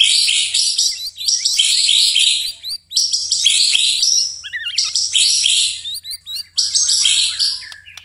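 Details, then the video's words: At night, a white-rumped shama pours out long, very high, dense buzzy-warbling phrases, broken by brief pauses and a few lower twisting whistles. "murai batu tetap gacor di malam hari"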